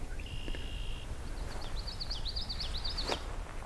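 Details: A swamp sparrow beside a wetland on the Beaver Meadows Loop, Allegheny National Forest, on a hazy afternoon: a steady thin whistle, then a quick trill of about ten high chips over a second and a half, with strong low rumbling.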